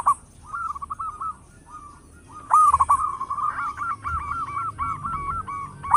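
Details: Lure-type local zebra dove with a loud voice: soft rolling coo phrases build into a sharp burst, then a steady chain of looping notes overlapping with further rolling coos.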